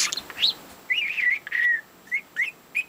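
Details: Four-month-old pet budgie beside its owner, who is trying to work; soft warbling notes gliding up and down, then short rising chirps repeated at roughly half-second intervals.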